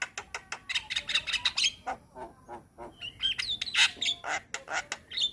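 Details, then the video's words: Javan myna singing busily with varied content as tutor song for young birds: squawky chatters, short whistles and sharp clicks tumbling irregularly, with loud harsh bursts toward the end. "Masteran Burung Jalak Muda - Jalak Kebo gacor Banyak Isian"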